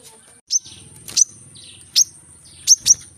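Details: Brown-throated sunbird, called kolibri kelapa or manggar, in a rapid 'gacor' calling style: sharp, very high chirps delivered singly and in close pairs over about three seconds, above a faint low buzzing hum.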